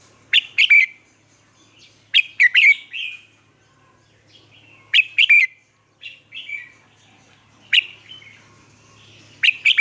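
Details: Caged red-whiskered bulbul lure bird in Vietnam, singing to train and stir newly caught bulbuls: five short, bright whistled phrases with sharp clicky starts, each burst of two or three notes, spaced about two to three seconds apart over quiet background.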